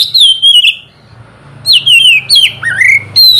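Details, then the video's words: Oriental magpie-robin morning song in ngeplong style, aimed at prompting lazy birds to sing: long sliding whistles falling gently in pitch, then a rising upslurred note, over a steady low background hum. "terapi pagi cocok buat mancing kacer malas bunyi supaya cepat gacor"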